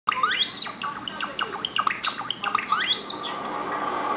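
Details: Seven-week-old Java sparrow chicks calling as Java sparrow videos play on a computer: busy overlapping chirps with two clear rising-then-falling whistled sweeps, plus short downward notes.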